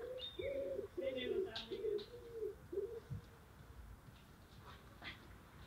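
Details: Vorwerk hen sunbathing in Fjerkøbing, Denmark, gives contented calls: about six low, soft, drawn-out murmuring notes over three seconds, with faint high chirps of small birds and distant talking behind.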